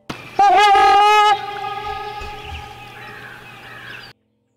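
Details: A Trumpeter Swan gives one loud, resonant, horn-like honk lasting about a second, a call that males and females use to defend territories. A softer, steady tone follows, with music underneath.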